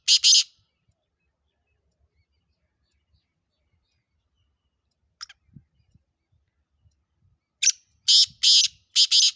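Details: Sindhi kala teetar, a black francolin strain offered for sale: a loud rasp, a long pause with faint clicks, then a rapid series of three or four harsh, scratchy grating notes.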